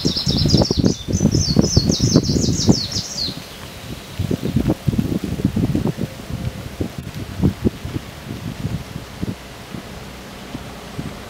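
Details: A Greenish warbler (Phylloscopus trochiloides) at Wągrowiec, 12 June 2014, gives one quick, high, jumbled burst of notes lasting about three seconds, then falls silent under steady low rustling and thumping.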